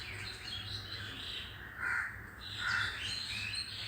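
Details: Crows calling among other birds, which reportedly go quiet on hearing them; two harsh caws stand out against a background of thin high chirps and twitters from smaller birds.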